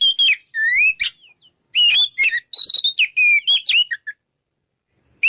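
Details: Oriental magpie-robin, a loud 'ngeplong' style song used to provoke rivals to fight. Varied clear whistles, some upslurred and some warbled, arrive in quick bursts separated by short silences.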